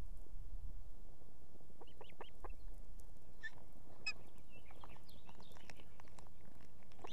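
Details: Female Osprey at an Estonian nest holding two chicks, calling in the evening for the male to bring food. Several short, upward-slurred whistled notes come in a loose cluster, over a steady low rumble of wind.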